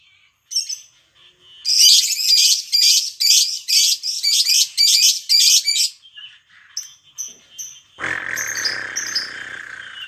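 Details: Lovebird call used to stimulate other lovebirds to sing, with koek and ngetik sounds: a run of harsh, high buzzy bursts repeated rapidly, then a few short squeaks and a broad rushing noise at the end.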